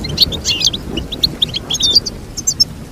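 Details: Short burst of goldfinch twittering: liquid chirps and a few sharp whistled notes in quick succession.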